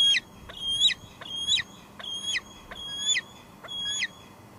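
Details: Female bald eagle at her nest at Two Harbors on a July 2022 evening, filmed by a live nest cam, squeeing: six high, thin, harmonic notes with downward-slurred ends, about one every 0.7 seconds, over a faint low background hum.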